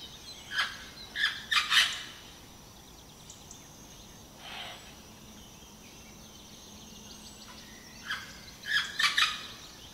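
Vernal Hanging Parrot giving sharp, high squeaky notes in short clusters of two or three, with long pauses between bursts, over a soft background hiss.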